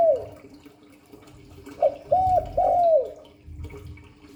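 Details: Spotted dove singing the Hạp Bổi voice style of calling coos and gù; one phrase of a short note, two arched coos and a long drawn-out falling coo, over a faint steady hum.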